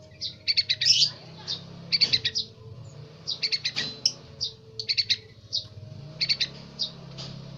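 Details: Young yellow-vented bulbul learning to sing, giving short bursts of bright, high chirping notes in tight clusters of three to five, repeated roughly every one to one and a half seconds, over a low steady hum.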